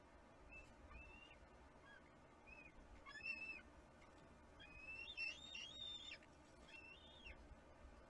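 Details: A bald eagle eaglet (Haliaeetus leucocephalus), hatched January 12, 2022, at a Kisatchie National Forest nest, gives thin, high whistles and squeaky chittering in uneven bursts on April 6, 2022, a tantrum as a parent eats the fish, over wind-like hiss.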